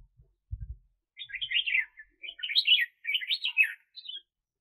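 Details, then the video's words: Red-whiskered bulbul decoy bird for trapping, 2021, delivering three loud chattering warbled phrases in quick succession, each a tumbling cluster of bright notes, followed by a short clear whistle; a low knock sounds early on. "Chào Mào Mồi"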